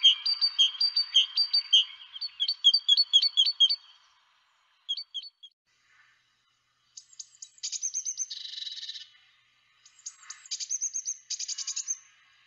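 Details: Great Tit song: bright two-note phrases repeated quickly for about four seconds, then higher, buzzy, scolding trills in short bursts.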